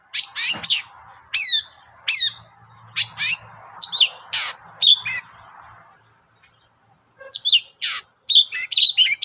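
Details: Long-tailed shrike singing, meant as a lure: sharp downslurred whistles and harsh squeaks over a low rough murmur, a short pause, then a burst of mixed squeaky notes.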